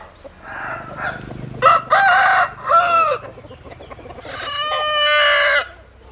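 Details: Roosters crow loudly several times in succession: short, harsh bursts, then a long, sustained, harmonic crow of about a second and a half, with soft clucking underneath.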